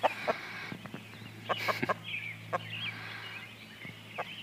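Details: Partridge Cochin and Barred Rock cross chicks, twenty days old, out walking with the mother hen; scattered high chirping peeps, several soft low clucks and clicks, with a brief rustling noise burst and a constant low hum.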